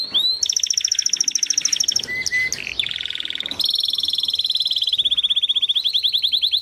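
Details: Timbrado canary singing a varied phrase sequence: rapid metallic trills, a short low whistled note, a steady ringing tone, then a long pulsing rattle at an even rapid beat.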